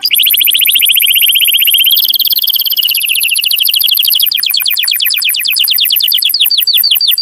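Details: Strong canary mating song, used to stimulate males and females: one long, very fast continuous trill that shifts pitch after two seconds, then slows into distinct rising notes.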